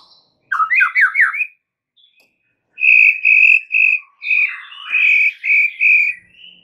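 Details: Lure song of a white-rumped shama, played to draw a reply from other shamas: a quick trill of rising notes, then a series of loud, steady whistled notes in even groups.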